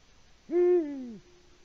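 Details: A male Eurasian eagle-owl at a nest camera in Latvia, at 18:06 on 6 March 2019, hooting with no female answering, gives a single deep, booming hoot lasting under a second, swelling slightly before sliding lower, with a quiet hum after.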